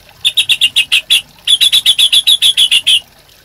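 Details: Caged white-rumped shama song used as a training master: two bursts of rapid, evenly repeated high chipping notes, about fifteen in the second run, with a faint low hum below.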